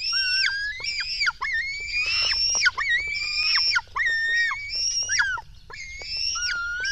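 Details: Young black storks on a Latvian nest begging at feeding time, 04:53 on 24 June 2016: a dense, almost continuous chorus of overlapping high, rasping squeals with rising and falling inflections.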